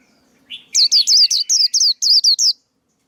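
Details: Male white-eye song, played to coach young birds and to lure birds for trapping: a soft lower note leads into a fast string of nine bright, high chirps, each sweeping sharply downward.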